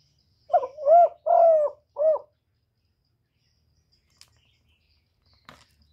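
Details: Decoy spotted dove giving a 'gáy gù' coo: one phrase of four low, hollow, mellow notes, with the longest note in the middle. Then quiet, with a few faint clicks.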